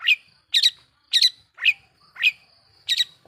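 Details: Long-tailed shrike song used as a lure to enrage other shrikes: loud harsh squawking notes, some doubled, repeated roughly every half second.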